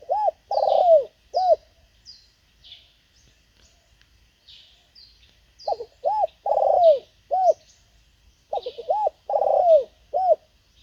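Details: Spotted dove used as a decoy to lure wild birds, giving low, mellow coo phrases: a rolling purr followed by arched hoots, in three bursts. Faint high chirping insects sound behind.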